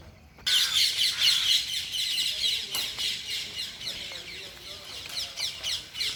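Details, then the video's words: Flock of parrots chirping loudly outdoors, a dense overlapping chorus of high sharp chirps and squawks repeated rapidly and irregularly throughout. "loud parrots chirping/Natural parrot sounds/parrot calling sounds"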